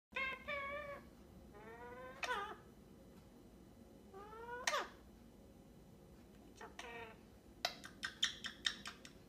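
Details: Pet Indian ringneck parakeet (rose-ringed parakeet), a young male about 1.5 years old, at a house in Portland, Oregon, talks to his toy duck while giving it kisses ("tickle tickle tickle it's ok") in raspy, nasal, speech-like phrases, some sliding upward, ending in sharp clicky chatter; quiet room.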